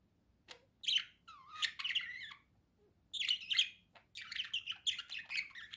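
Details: Budgerigar song with three bursts of rapid chattering chirps and scratchy warbled notes, separated by quiet gaps of about a second.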